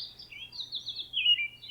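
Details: American robin singing in April, heard for the first time in months as a sign of warmer days. It gives a brief run of warbled phrases that slur and fall, with faint background hum.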